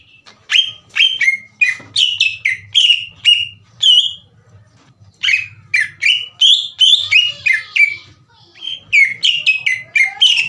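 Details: Green leafbird, a kept bird in full song used to provoke slow-warming rival leafbirds into singing: loud clear whistled notes around a steady pitch, quick downslurred phrases repeated in bursts with short pauses, faint low hum beneath.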